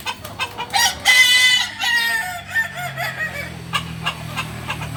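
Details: Kukuak Balenggek chicken at a Sunday training contest in Ampang Kualo, a long crow of bright harmonic notes from about one to three and a half seconds, partly masked by clicks, crowd noise and a low hum.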